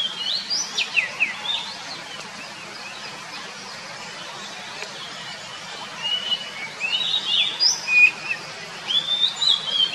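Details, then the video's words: Wild Oriental magpie-robin recorded in nature, with other birds also singing: bright, varied whistled phrases with sharp upslurs, in bursts at the start and end with a quieter pause between, over steady background hiss. "KICAU BURUNG KACER DI ALAM LIAR"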